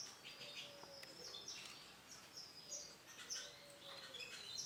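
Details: Male canary with orange and black plumage singing quick, high, thin chirps and short trills in uneven bursts, with a faint lower whistled tone from another bird and steady background hiss.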